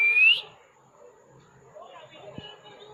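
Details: A pet male plum-headed parakeet (Psittacula cyanocephala) gives one loud, clear whistle that slides upward and cuts off after under half a second, followed by faint room noise.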